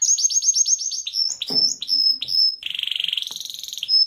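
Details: Canary singing: rapid series of repeated high whistled notes, then sustained trills and a fast rattling buzzy roll, with brief lower-pitched tones between phrases.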